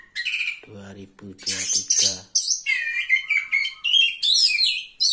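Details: Contest Oriental magpie-robin, a third-place winner, pouring out a fast, varied song of sharp chips, whistles and rising trills, while a man's voice talks briefly near the start.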